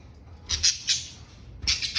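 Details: Pet budgerigars chirp at their own reflections in a mirror, giving harsh, high bursts of a few short, squawky notes clustered together.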